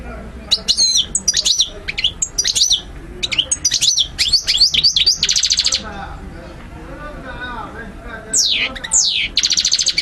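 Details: European goldfinch song played for training birds to learn and be stimulated to sing: rapid bursts of high twittering, sliding whistles and buzzy trills, with brief quieter gaps and a soft low murmur underneath.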